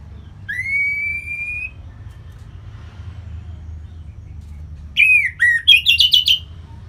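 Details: Caged orange-headed thrush from North Bali, singing to stimulate other birds: a long, pure, slightly rising whistle, a quiet pause, then a rapid burst of looping, chirping notes, over a low background hum.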